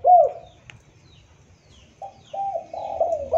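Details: Spotted dove, a recording used as a lure: a single low coo, then a pause, followed by a run of four soft, slightly falling coos.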